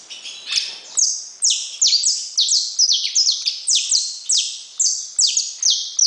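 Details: Saffron finch song made of bright, high notes that sweep steeply downward, delivered in quick clusters of two or three roughly every half second, loud and steady throughout.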